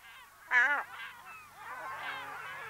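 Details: A single Lesser black-backed gull, recorded close in a colony on Walney Island, gives a loud, nasal, honking call with rich harmonics, followed by softer wailing calls from other gulls.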